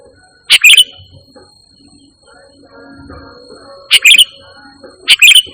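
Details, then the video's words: Sooty-headed bulbul voice used as a lure and master call for training pet birds: three brief, loud, sharp chirp bursts, each a quick double note, separated by long gaps with faint background murmur. "Suara Burung Kutilang Gacor Tanpa Isian || 100% AMPUH Untuk Suara Pangilan dan Masteran"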